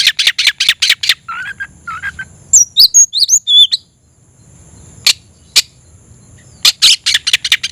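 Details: Oriental magpie-robin searching for a rival, singing: a rapid burst of sharp chirps, brief lower whistles, high twisting whistled phrases, then a pause and renewed quick chirping.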